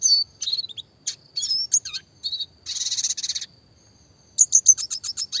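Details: Classic red siskin sings dense, high twittering phrases with slurred whistles and a fast buzzy rattle. After a short pause comes a quick string of sharp repeated chirps, the rapid roll tembak style.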